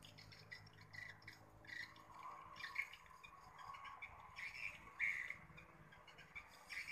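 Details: Swiftlets respond in the evening of 31 October 2021, twittering with short, sharp, high chirps and squeaks at an uneven pace, several birds overlapping over a steady hiss.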